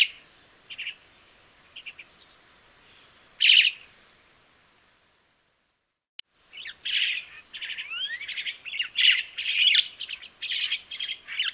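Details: Crested myna song beginning with scattered short harsh notes and a loud grating burst, then after a quiet gap a lively series of chattering phrases, squeaky whistles and upward glides.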